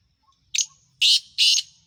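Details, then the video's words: Black francolin, recorded in Khushab: three sharp, harsh bursts high in pitch, the first short and the next two longer and grating, spaced about half a second apart, with faint low rumble beneath. "kala teeter ki awaz"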